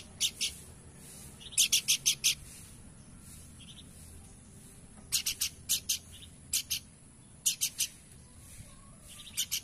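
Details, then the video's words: Horsfield's babbler singing short bursts of sharp, buzzy high notes, two to five at a time, with several faint soft whistles in between and quiet background. "Burung Planduk Semak Gacor"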